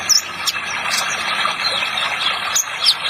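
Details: Training track of a spotted ninja sunbird, meant to get young birds singing: scattered high, sharp squeaky chirps and short twitters, several per second, laid over a steady splashing water effect.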